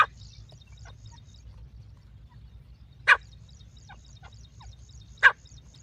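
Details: Partridge calls used to attract partridges: short, clipped, piercing notes, two strong ones about two seconds apart, with faint high chirps and a low hum behind.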